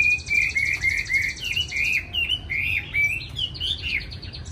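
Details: Chinese hwamei kept in a cage in Hanoi, Vietnam, delivering a fast series of bright, slurred whistles that step gradually higher, each note short and ringing, over a faint background hum.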